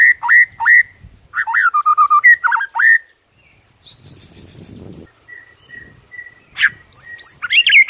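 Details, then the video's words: White-rumped shama morning song meant to rile rivals: bursts of loud whistled slurred phrases, a pause with a brief rustling noise, then a thin sustained whistle and renewed rising notes. "HITUNGAN DETIK DI PAGI HARI BIKIN MURAI LAWAN AUTO NAIK EMOSI SEKETIKA"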